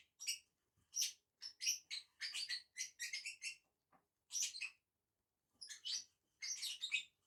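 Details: Two lovebirds feeding in a tree chatter in quick runs of high, grating chirps, pausing for about a second, then starting again in dense clusters.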